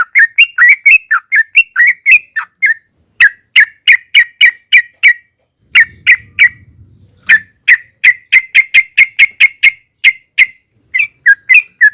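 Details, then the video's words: Yellow-vented bulbul (trucukan) in lively long 'ropel' song with 'narung' notes, played to make other bulbuls sing: quick warbled phrases for three seconds, then a long run of loud, sharp chips repeated about three per second, with a faint steady high tone behind. "suara trucukan gacor ROPEL PANJANG DI SERTAI NARUNG"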